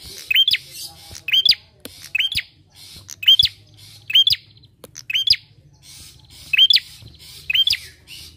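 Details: Bar-winged prinia in full song, used as a lure to get other birds singing: a steady run of paired notes, a curving rising whistle then a scratchy buzz, repeated about once per second with brief pauses.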